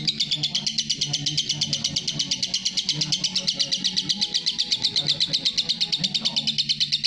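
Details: Lovebird delivering extended ngekek chatter, a continuous rapid series of high piercing notes for seven seconds, with a low hum beneath.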